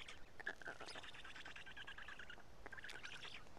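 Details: Black stork chicks in Karula, 31 May 2017, fed two big fish at midday; a dense run of hoarse, rapid chattering notes, with a sharper rasp near the end.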